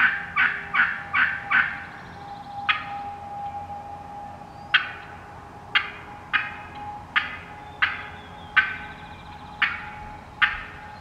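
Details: Wild hen turkeys in the woods cut and yelp: a quick burst of five yelps, then sharp abrupt single notes spaced roughly a second apart, over a faint steady hum.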